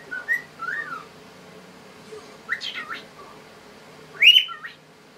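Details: A happy pet cockatiel whistles in short, rising and falling phrases, ending with a brighter chirp, showing off his repertoire.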